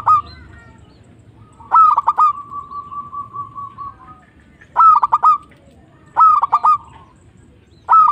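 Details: Local zebra dove giving bursts of quick, stuttering coos, one stretched into a long, level hum, the phrases recurring every second or two against a quiet background.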